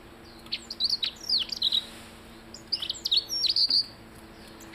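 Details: Blue-headed rock thrush song in two lively phrases of sharp high chirps, fast twitters and downslurred whistles, separated by a short silence, over a soft constant hum.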